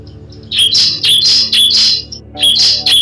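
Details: Bar-winged prinia lure sound for prompting birds to sing. Loud, harsh, buzzy high notes repeat in quick pulses, with a short break before the last few notes.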